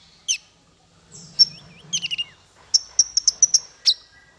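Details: Bird song used as a training recording for small fighter birds: sparse, high, sharp chirps and short slurred whistles, then a quick run of six or seven bright, evenly spaced notes ending in a downslurred note.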